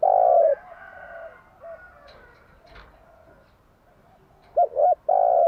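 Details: Spotted dove singing in the morning as a lure for training doves: the tail of a long coo, a quiet pause with faint background calls, then two short coos and another long low coo.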